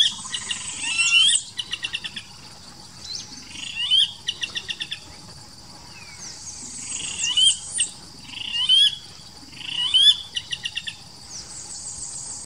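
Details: Blackish rail at Wildsumaco, Ecuador, giving harsh squeals and rapid clicking rattles in short bursts every two to three seconds, over a steady high insect hum.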